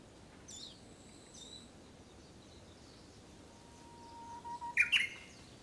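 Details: In early summer a Japanese bush warbler gives its practised song: after faint distant chirps, a low straight whistle swells for over a second, then breaks into a loud rapid flourish of sharp, tumbling notes.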